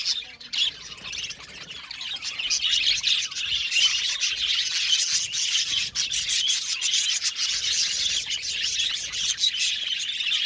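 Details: Many budgerigars in an aviary producing a steady, dense wash of chirps and warbling chatter with quick clicking notes throughout.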